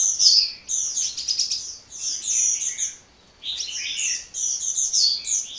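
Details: Tireless sunbird song made of high, sibilant twitters and quick trills in two long bursts split by a half-second silence.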